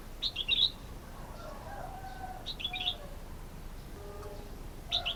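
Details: Red-whiskered bulbul with three brief bursts of quick, warbling chirps, each a tight cluster of bright notes, separated by quiet stretches with faint lower twittering.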